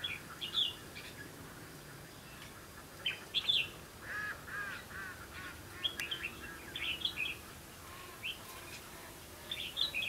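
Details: Red-whiskered bulbul singing competitively at a trapping site on 2 October 2016; short, bright warbled phrases with quick rising and falling slurs come in bursts separated by brief pauses, against a low rumbling background.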